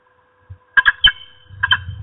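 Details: Female peregrine falcon at the nest calling at an intruder: a few loud, grating, nasal notes in two short groups, with a soft low rumble near the end.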